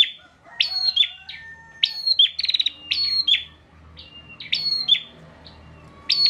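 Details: A captive bar-winged prinia in Pemalang, Central Java, sings loud, high, clipped phrases of sharp chips and fast buzzy trills, repeated roughly every second with short pauses between.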